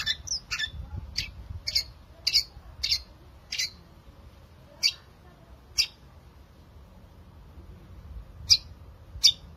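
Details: Lively long-tailed shrike singing, meant to draw song from reluctant shrikes: a rapid series of rasping chirps at first, slowing to widely spaced single notes, with background hiss.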